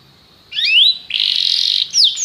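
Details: Canary in a short phrase: a rising slurred whistle, then a dense buzzy trill lasting about a second, followed by two sharp descending notes.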